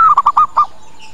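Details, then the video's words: Zebra dove lure call used to draw birds in: a brief run of four or five rapid, mellow cooing notes closely spaced, fading into quiet. "Suara PIKAT PERKUTUT Cepat Pada Datang dan Nyaut"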